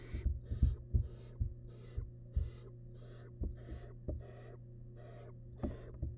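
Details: Barn owl chick, wild, inside a research nest box while feeding on big rabbit leftovers: a series of harsh breathy hisses, roughly two per second, mixed with soft knocking thuds and a constant low hum.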